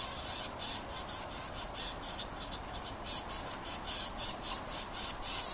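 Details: Yellow-shafted Northern Flicker young near the nest as the male comes to feed them, giving hungry calls: rapid buzzy, rasping pulses repeated several times a second in uneven bursts, with a steady background hiss.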